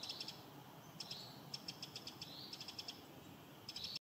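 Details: Eurasian wren giving alarm ticks in spring: crisp high clicks in rapid runs of four to six, pausing briefly between runs, over a constant low hiss of outdoor noise.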